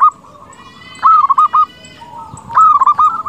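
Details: Close, loud song of a local zebra dove kept to lure and excite other doves; two bursts of fluttering, bubbly coos, each a quick series of rounded notes, separated by a second of quieter cooing.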